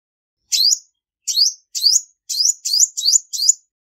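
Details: Clean recording of a female olive-backed sunbird, giving seven high, buzzy rising chirps that start spaced and then come faster, almost back to back near the end.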